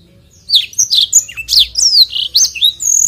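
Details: Black-throated canary in active long rolling song, a tutor recording: after a short quiet start, rapid high whistled notes and downward-slurred sweeps tumble out, ending in a thin buzzy trill.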